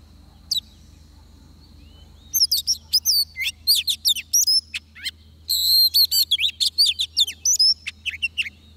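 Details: After a lone note, an oriental magpie-robin at a decoy trap breaks into a dense, varied run of whistles, trills and upslurred notes lasting several seconds.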